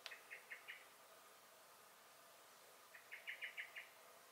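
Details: Common blackbird in a garden, May 2021, giving alarm calls: a short run of four sharp chinks, a silent gap, then a quicker rattling burst of about six notes.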